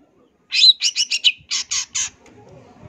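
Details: Rapid series of about seven harsh, raspy high notes from a champion long-tailed shrike with full filler song, the first four tumbling together, the last three spaced evenly and slightly longer.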